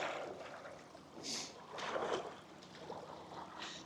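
Quiet splashing and paddling-like water noise with faint handling sounds, and no animal voice.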